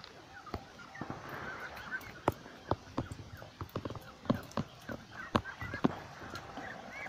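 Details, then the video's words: A flock of ducks beside a lake gives a steady stream of short, nasal, overlapping calls, some louder honking notes standing out every half second or so, over a low rumbling background. "Con Vịt"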